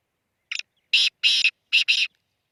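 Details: Harsh call of a black francolin recorded at Khushab: one brief stuttered note followed by four strong grating notes grouped in two pairs, with no other sounds.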